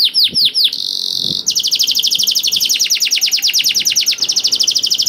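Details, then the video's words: Canary singing to spur silent canaries into song: a few downslurred notes, a sustained flat whistle, then a long fast buzzy trill of high repeated notes; faint low tapping. "KENARI GACOR DOR INI MEMANCING KENARI YANG SUSAH BUNYI JADI IKUT GACOR"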